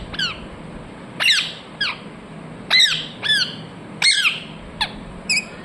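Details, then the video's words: Sharp, falling screeches of a Ringneck parrot come singly and in close pairs, about one each second, ringing and harsh, over a quiet humming background. "Ringneck parrot Chirping sounds"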